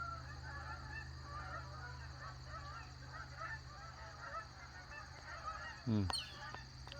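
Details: Many geese honk steadily all morning between a lake and a pond, layered over a constant low hum, with a brief louder swooping sound near the end.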